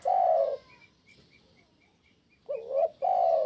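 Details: Spotted dove kuk 1 call. A long mellow coo ends, then after a pause a rising double coo leads into another sustained coo. A faint series of high ticking notes sounds between them.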